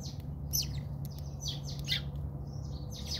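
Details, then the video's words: Short fighting bout of house sparrows in a South African backyard: a few harsh, buzzy chirps, irregularly spaced, over a low hum. "Watch Interesting Sparrow fights in my Backyard"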